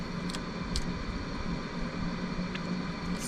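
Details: Indoor background hum with a steady electrical tone and a few soft rustles; no ducks or other animals are heard.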